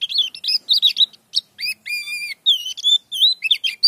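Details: High, varied white-eye song, pleci dakun type, with isian phrases: quick warbles mixed with longer clear whistled notes, some slurred downward, some held level.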